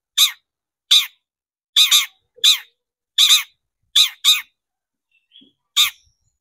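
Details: Long-tailed shrike (cendet) used as a lure to excite shrikes into song: nine harsh, raspy squawks, some in close pairs, spaced irregularly over six seconds with near silence between.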